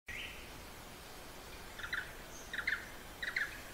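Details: Blue-eared barbet in Hala-Bala Wildlife Sanctuary, far southern Thailand, giving short, clipped high notes in quick pairs, repeated roughly every half second, over a steady background hiss.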